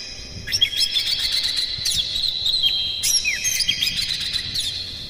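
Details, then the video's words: Oriental magpie-robin in full, rapid song with borrowed phrases, serving as a lure to excite other birds of its kind: busy high chattering with sharp clicks and downslurred whistles, bursts about every second. "KACER NGEPLAY GACOR NEMBAK-NEMBAK ISIAN, PANCINGAN AMPUH NAIKAN EMOSI KACER"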